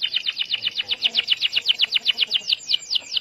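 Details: Starblue canary singing to encourage other canaries to sing: a clean, regular series of quick bright notes, about four per second, each a brief downward slur.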